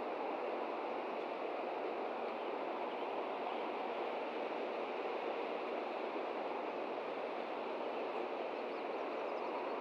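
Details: Steady, even broadband rushing like running water or surf, unbroken for the whole stretch, with no animal calls standing out.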